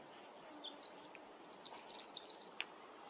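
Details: Male Pacific wren singing in forest at Manning Park, July 2020: a faint, very high, rapid tumbling series of thin tinkling notes and trills over a steady background hiss, ending with a brief click.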